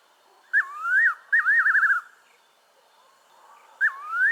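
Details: Fiery-necked nightjar in southern Africa: mellow whistled phrases, a sliding note, then a quavering tremolo that falls away, repeated after a short pause.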